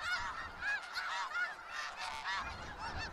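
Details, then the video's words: Skagit Valley snow geese honking together, a busy wall of nasal, slightly rising yelps from numerous birds, some close and loud, others blending into the background. "Sounds of Snow Geese"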